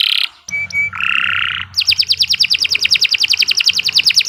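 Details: Canary singing steadily, recorded as a tutor for other songbirds: a buzzy roll, two short flat whistles, then a longer harsh rolling phrase, followed by a fast, even trill of bright repeated notes.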